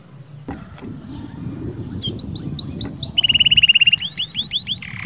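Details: Canary song meant to rouse both sexes to breed, starting after faint background noise: looping whistled slurs, a fast even trill of identical notes at steady pitch, then quick falling chirps.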